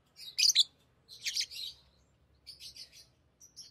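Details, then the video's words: Tame lovebirds calling during play with rings; a few scratchy high chirp clusters separated by pauses, softer toward the end, over a faint low hum. "Love birds Talking | Singing Sounds"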